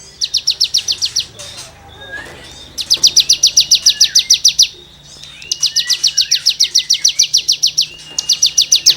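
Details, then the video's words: Songbird tutoring recording of a cigun: long, steady volleys of shrill, evenly spaced chipping notes at high pitch, broken by short gaps with faint whistled glides. "CIGUNG GACOR FUL NEMBAK MATERI GESEKAN BURUNG KICAU"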